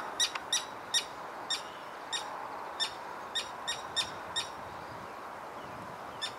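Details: Common Terns dive-bombing a walker near their apparently lost chick, giving a dozen harsh, grating calls in quick, uneven succession, several birds calling together over a steady breezy hiss.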